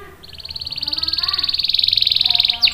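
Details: Canary rolling song: a single long, rapid trill of evenly pulsed notes that swells steadily in loudness over about two seconds, ending in a quick sharp note.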